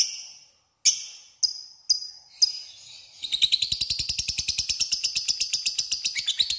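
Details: Lovebird in 'ngekek panjang' style, a lure to call a rival: four sharp high calls a half-second apart, then a rapid buzzy chatter of many quick notes running without pause.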